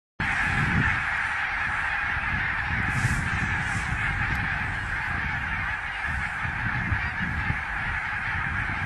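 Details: A migrating flock of barnacle geese flying over salt meadows near Westerhever on the North Sea, dated 12/05, gives a dense, continuous chorus of short yapping barks blurring into one clamour, over low wind rumble.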